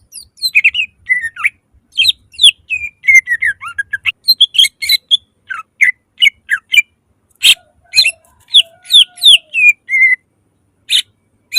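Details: Greater green leafbird in long, loud lure song packed with rapid shot-like notes: varied chirps, slurred whistles and harsh bursts follow each other quickly for over ten seconds, with one sharp click midway.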